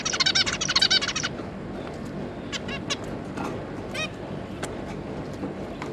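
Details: Zebra finches, a pair with three juvenile babies, 9 June 2022: a brief rapid burst of nasal chatter, then scattered faint, short call notes over low background hiss.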